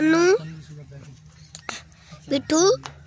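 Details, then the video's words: Ringneck parakeet kept as a pet, mimicking speech: a loud, nasal syllable sweeping upward, then scattered clicks and two more quick rising squawky words near the end, low background hum. "Parort Talking To Mitthu Raw Parrot And Ringneck"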